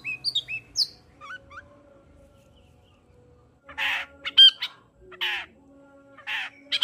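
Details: Long-tailed shrike singing vigorously, used as a lure to stir a reluctant shrike into song and raise its breeding drive: high squeaky chirps and slurred whistles, a pause, then loud harsh buzzy bursts over a faint steady hum.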